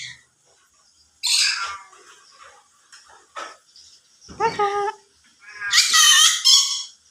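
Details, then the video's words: Short speech-like calls from a talking yellow-sided conure, scattered harsh bursts and one clear harmonic phrase, ending in a loud, shrill, raspy outburst. "burung yelow side conure bisa ngomong"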